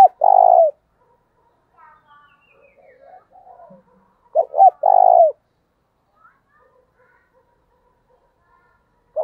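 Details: Spotted dove giving a loud coo used to lure wild doves. Each phrase has brief clipped notes leading into a long, mellow, low coo. Two phrases sound about four seconds apart, with quiet murmuring notes between them.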